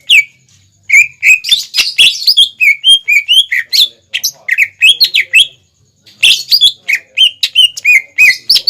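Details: Greater green leafbird in full song, used as a training lure for young birds to copy: fast runs of loud whistled and chirping notes, many swooping down or up, in two bursts separated by a short pause.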